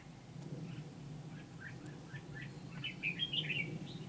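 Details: Trapping session for wild red-whiskered bulbuls with a decoy bird, Kim Bôi, Vietnam, 8 September 2019: scattered soft chirps build into a loud rich warbled phrase near the end, against a low steady hum.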